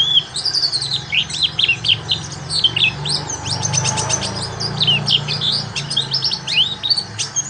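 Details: Oriental white-eye lure song for learning ngalas: dense, rapid high chirps and sharp down-slurs continuing throughout, over a steady low hum and hiss.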